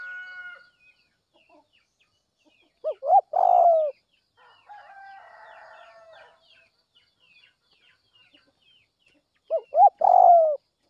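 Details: Spotted dove in the early morning, calling intensely to rouse wild doves: two low cooing phrases, each of two short rising coos and a long falling croo, about six seconds apart, with a fainter harmonic call and soft chirps in between.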